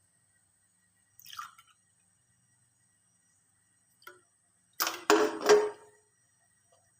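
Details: Quiet room with a few brief clatters and a louder burst of handling noise near five seconds, over a faint steady whine; no animal sound.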